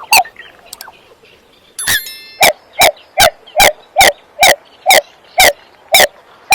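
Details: Eurasian coot giving a steady series of short, sharp, clipped notes, roughly two to three per second, after a brief burst of mixed higher sounds at the start.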